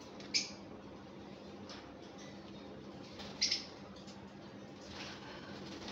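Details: One of a pair of lovebirds gives two brief, shrill high chirps about three seconds apart, over a steady low hum and faint room noise.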